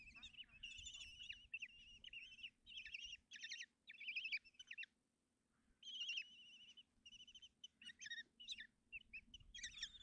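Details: Common kestrel chicks at Tiszalök, Hungary, beg noisily as their mother feeds them in the nest box on a June 2024 morning. Long runs of shrill, wavering chitters break off into a brief silence, then resume just as intensely.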